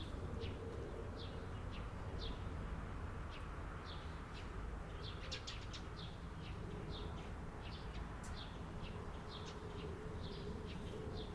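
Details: Eurasian tree sparrows on 28 April 2022: scattered brief, thin chirps repeated irregularly throughout, somewhat faint against a strong low-pitched background hum.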